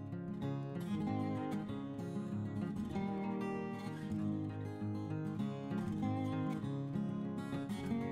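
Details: Strummed acoustic guitar music plays throughout, with no animal sound.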